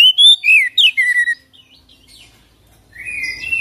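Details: Oriental magpie-robin singing ngerol gacor with full isian: six crisp, clear whistles that slide and dip in quick succession, then near silence, then a steady sustained whistled note at the close.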